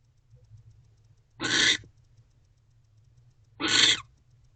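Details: Female barn owl in a nest box at night around 9 pm, repairing the nest with eggs present, giving two harsh, breathy rasping hisses of about half a second each, roughly two seconds apart, otherwise quiet.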